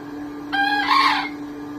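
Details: Bekisar of the snow-white variety, a hybrid of green junglefowl and chicken, gives one brief crow of under a second. It opens with a clear tone and breaks into a rough, raspy burst over a constant background hum.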